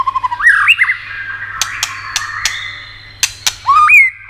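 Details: White-rumped shama singing to excite other birds: a few quick chirps lead into a rising whistle, a long thin held tone with sharp clicks, then a closing upward slurred whistle.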